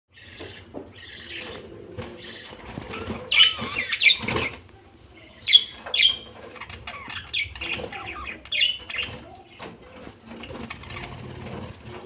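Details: Budgerigars chatter and warble in a busy stream of high chirps, squeaks and warbling notes.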